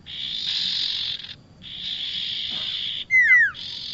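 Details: Bar-winged prinia sounds used as a lure for trapping birds: long, harsh buzzing bursts broken by a short gap, then two loud whistled notes sliding sharply downward near the end.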